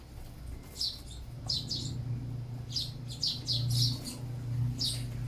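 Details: A sparrow feeding gives short, sharp, high chirps in irregular bursts of one to three, over a steady low mechanical hum.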